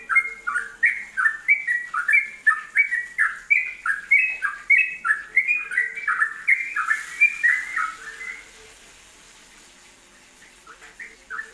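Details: Yellow-vented bulbul (Pycnonotus goiavier), song.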